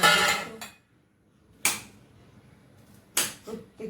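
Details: Indoor knocks and clatters, like objects being handled, with a brief noisy burst at the start and two sharp bangs later, separated by near silence; no animal calls.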